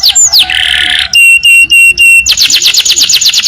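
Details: Canary long-trill training song: a falling slur, a buzzy held note, a row of steady pulsed whistled tones, then a quick rattling trill.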